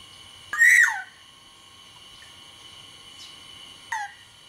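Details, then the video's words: Black-naped oriole, Sumbawa variety, in full song: one loud, mellow whistled phrase swooping downward, a long quiet gap, then a softer echo of the same descending whistle, backed by a faint steady hum. "suara burung kepodang sumbawa GACOR DOR"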